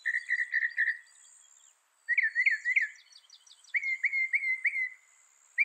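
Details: Mockingbird repeating a short whistled note in a quick series, then switching to rising slurs and later a series of clear falling whistles, each type sung several times in a row.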